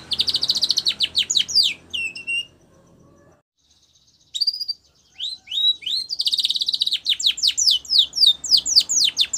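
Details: Training song of a white Spanish Timbrado canary for young birds: quick falling high notes, a brief rolled phrase, a quiet gap of nearly two seconds, then rising chirps building into fast repeated descending sweeps.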